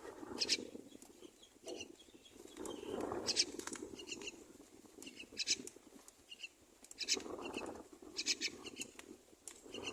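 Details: Myna nest with a mother feeding two babies: short, harsh, high squeaky bursts come in irregular clusters over a steady low rumbling background.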